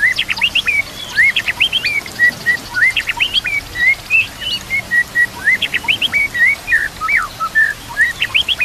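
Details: A lively fighter-type white-rumped shama delivers a song full of fill-ins. Fast clusters of high sharp notes alternate with evenly spaced whistled upslurs and level whistles, continuous throughout, with faint natural sound behind.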